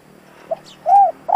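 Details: Spotted dove kept as a decoy to lure wild doves: a short low note, then one smooth arched coo held for about a quarter second, and the start of another at the end.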